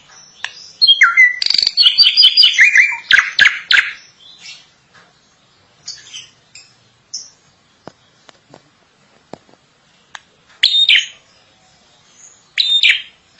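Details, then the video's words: Drongo in long, vigorous song: a rich burst of mixed whistles, downward-sliding notes and harsh chatter, then sparse clicks and quiet spells broken by two short loud whistled phrases. "Suara asli burung Srigunting gacor panjang"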